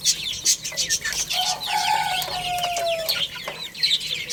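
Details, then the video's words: Young chicks feeding and playing, giving steady bursts of thin, high chirps over one another, plus a couple of longer steady lower notes in the middle. "Cute Little Chicks Chirping Sounds| Baby Chicken Playing and Eating"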